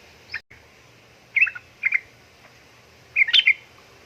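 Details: Sooty-headed bulbul female calling a male while in breeding condition: a brief chirp, then three scratchy chattering bursts separated by pauses, the last one longest and loudest, over a quiet steady background hiss.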